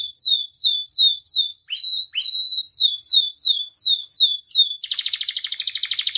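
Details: Canary song for luring canaries into song: clear downslurred whistles repeated about three times per second, a few flat notes, then a fast rolling trill.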